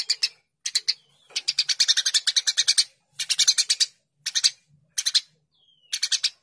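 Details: Eurasian tree sparrow in lively full song, used as a tutor recording for other birds: bursts of harsh, high chirps, fast runs of up to a dozen notes with short pauses, plus a faint thin whistle.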